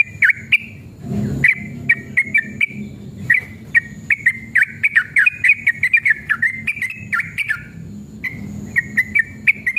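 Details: Sooty-headed bulbul in full 'ropel panjang' song for provoking responses: a long chain of bright, wavering whistles in rapid bursts, a short noisy thump early on, and a brief gap before the run resumes.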